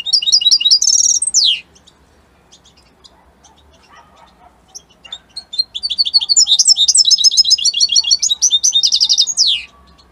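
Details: European goldfinch of the Italian type, opening with a fast, jingling phrase and a downslurred note. After a quiet stretch it gives a long, bright, twittering song of quick chirps and trills, ending with a descending slur.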